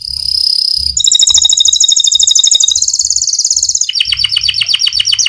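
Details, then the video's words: Canary, a fighter-type bird, singing a rolling song meant as a master recording for training other canaries: a long steady trill opens, then fast buzzy rolled notes, shifting into rapid repeated downslurred whistles at a high pitch, with faint low thumps. "Burung canary fighter || Suara ngeroll || Cocok sekali untuk masteran || canary mandek.!"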